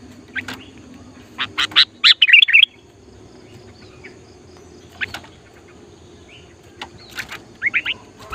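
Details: Sooty-headed bulbul, a lively singing bird used to lure wild bulbuls, gives short bursts of bright chirps and a quick wavering whistled phrase, then scattered notes after pauses, over a low background hum.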